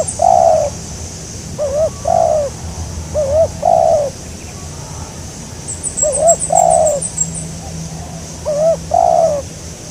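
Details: Spotted dove calling repeatedly while birds are trapped with a decoy; four or five paired phrases of a short wavy note and a longer husky coo every two seconds or so, with brief high twittering midway.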